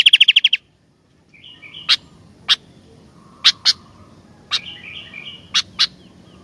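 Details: Sooty-headed bulbul: a short, fast trill of bright high pips, a silent pause, then scattered sharp chips, some doubled, mixed with soft whistled phrases.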